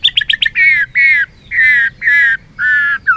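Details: White-rumped shama in competitive singing, flicking its tail: four quick chirps, then five long, rich, slightly wavering whistles, each under half a second, repeated with short gaps.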